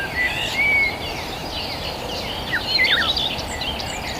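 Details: Rural birds chirping: a long clear whistle early on, then clusters of quick high twittering chirps from several birds, set against a constant hissing background.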